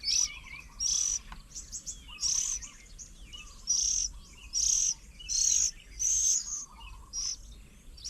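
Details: Oriental magpie-robins busy feeding their young at a fruit bird table in Nong Kwai, Hang Dong, south of Chiang Mai, Thailand, 8 June 2022; sharp, high, buzzy notes repeat roughly once a second, with faint lower warbling phrases between them.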